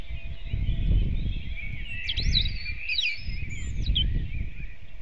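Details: Robin at dawn, 8 April 2016, about 05:48, delivering a short high phrase of sharp sliding whistles and twitters midway through, set against a continuous chorus of other birds and heavy low-pitched rumble.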